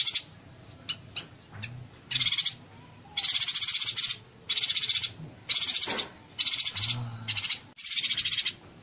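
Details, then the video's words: Yuhina song in the close-fire 'konslet tembakan rapat' style, a tutor for songbirds: a few brief ticks open, then repeated high, buzzy bursts of rapid pulses, each about a second long, with short pauses between. "Suara Burung Yuhina Konslet Tembakan Rapat"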